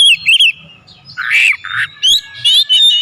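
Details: Oriental magpie-robin song rich in mimicked phrases: short bright whistles and a harsh, buzzy burst in the middle, then clear rising whistled notes, all in quick succession.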